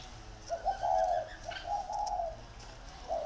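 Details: Spotted dove decoys, two caged birds competing against each other in Ba Vì, Vietnam, give low throaty cooing notes running into a drawn-out phrase, a brief click midway.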